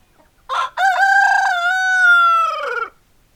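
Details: Rooster crowing: a single loud, rich cock-a-doodle-doo lasting about two and a half seconds. A brief opening note leads into a long, steady, harmonic-laden cry that drops in pitch at the end, in a quiet background.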